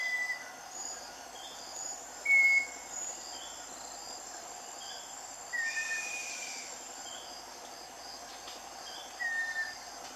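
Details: Scaly-breasted wren song of clear, drawn-out whistles, four notes spaced roughly three seconds apart, some sliding gently downward, with a continuous buzzing insect background.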